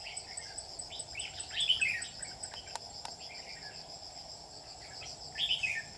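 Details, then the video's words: Red-whiskered bulbul used as a lure bird for trapping, recorded 27 July 2019, giving short warbled phrases of rising and falling notes around 1.5 s and 5.5 s over a steady insect drone. "Bẫy chào mào mình dài lông mỏng"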